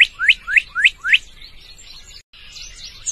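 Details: A Northern cardinal (Cardinalis cardinalis) sings four loud, clear upslurred whistles, about three or four per second, then falls to softer, faint twittering.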